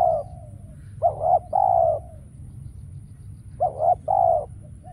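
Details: Spotted dove used as a decoy bird during trapping, calling in Vietnam; two-part hollow cooing phrases, a short double coo followed by a longer drawn coo, repeated twice with a pause between, over a low steady background hum.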